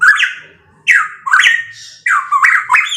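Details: Loud pitohui phrases, drawn-out slurred whistles that dip and rise, with rough harmonics, four short bursts in quick succession.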